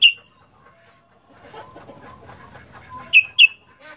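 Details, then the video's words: Sooty-headed bulbul, kept as a 'gacor fighter' singer, giving loud, sharp whistled chirps: one at the start, then a quick pair about a third of a second apart near the end, with faint chattering and soft bird notes in between. "Burung Kutilang Gacor Fighter"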